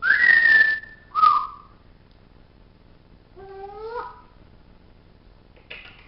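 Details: Young captive male African grey parrot, almost nine months old, practising his voice indoors: a loud rising-then-level whistle, a short clipped whistle, later a wavering harmonic call and a final brief squeak, separated by quiet gaps.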